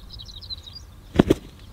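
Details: A male Greater Sage-Grouse displays at dawn in spring on a sagebrush-steppe lek in southern Wyoming, among dozens of males inflating their yellowish air sacs. He gives two hollow, low popping notes about a tenth of a second apart, with faint high chirps of other birds before them.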